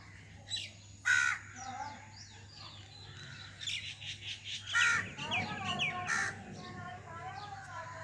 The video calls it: Common Myna Bird Sound